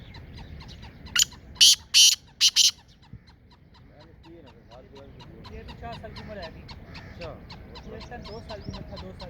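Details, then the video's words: Black francolin, Sindh, Pakistan: one rasping phrase of five harsh bursts near the start, after which chattering and warbling of other small birds fills the remaining seconds. "Kala Teeter sindh Pakistan"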